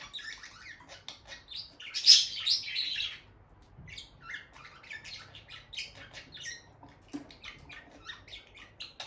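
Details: Bonded pair of peach-faced lovebirds by their nest box, sitting close and touching beaks; a loud harsh squawky burst near two seconds, then rapid bright chirps and chattering twitters in quick runs, indoors and quiet otherwise.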